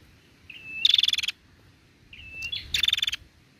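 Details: Female bar-winged prinia call, used to stimulate prinias to sing: a thin, level whistle running into a rapid, buzzy burst of high clicking notes, given twice about two seconds apart.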